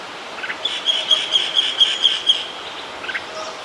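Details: Red-whiskered bulbul (Pycnonotus jocosus), also called crested bulbul, at Yercaud hill station on a foggy day, giving a quick run of about eight bright, chirpy notes in under two seconds, then a couple of softer notes, against faint outdoor hiss.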